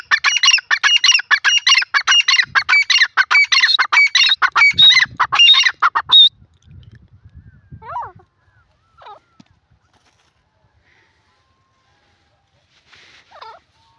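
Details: Grey francolin (titar) calling in a fast run of loud, harsh, clipped notes, repeated steadily for about six seconds and then stopping, followed by a few faint scattered sounds.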